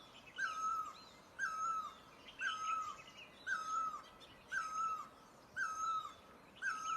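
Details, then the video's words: Rhythmic series of seven great barbet notes from Asia, about one per second, each a ringing tone that rises briefly then tapers downward; busy high-pitched chirping of other birds fills the gaps. "Great Barbet, นกตั้งล้อ, Pehˇ oˍ, Piˇ oˍ loeˇ, Pi luˇ ma"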